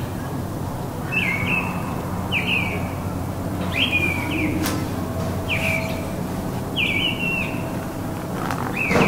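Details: Mistle thrush singing on 27 January at Champagneux, an early sign of spring: short, fluty, slightly descending phrases about every one to two seconds, with a steady low rumble of wind or distant traffic beneath.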